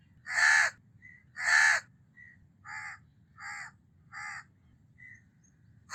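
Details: House crow giving two loud, rasping caws, then a series of quieter, shorter caws and thin clipped notes spaced roughly every half second.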